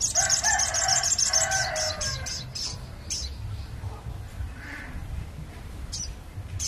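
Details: Crested jay calls, used to lure birds: a fast series of harsh, rattling notes with a layered tone, delivered about three per second and then fading into scattered high chips over a low steady hum.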